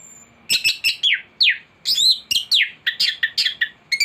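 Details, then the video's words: Thrush song from a tutoring master recording used to lure birds into singing: continuous varied phrases of clear, sharply falling whistles and chattering notes, delivered in rapid succession with almost no pauses, over a faint steady background hum. "Anis gacor teler isian komplit materi masteran burung anis pancingan bunyi"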